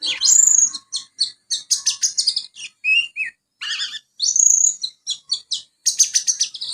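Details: Young Oriental magpie-robin singing ngriwik with sparrow material: busy, high chattering chirps in quick groups, two long sweeping whistled notes, and brief lower warbles.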